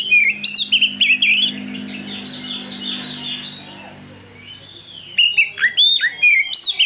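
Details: Oriental magpie-robin in bursts of loud, clear whistles and sharp chips, a softer warbling passage in the middle, then another run of bright, rapid notes.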